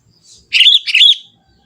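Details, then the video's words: Young forest sooty-headed bulbul singing lively in its natural voice, with no learned inserts: two short, bubbly, warbled phrases in quick succession, each slurring up and down, separated by a brief pause, in a quiet background. "suara kutilang muda hutan gacor suara asli tanpa isian"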